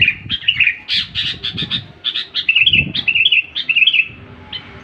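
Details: Sooty-headed bulbul singing rapid, bubbly whistled phrases with rising and falling slurs, nearly continuous, with a few soft low thuds underneath.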